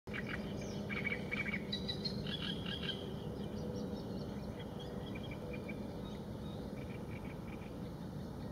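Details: Young little grebe recorded at Mikołów on 22 June 2019 in the early morning: clusters of thin, high, rapid peeping notes through the first three seconds, then sparser faint peeps, over a low background hum.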